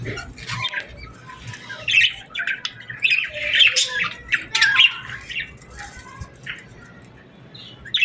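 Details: Summer evening chorus at sunset, with birds giving harsh, squawky chirps in irregular bunches, loudest in the middle, then thinning to scattered faint notes against soft background hiss.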